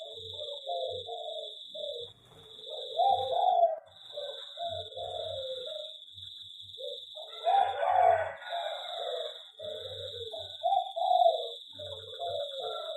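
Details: Caged zebra dove (local perkutut) in an aviary gives repeated rolling coo phrases in bursts over thirteen seconds. A brief harsher noise breaks in midway, with a constant high whine in the background.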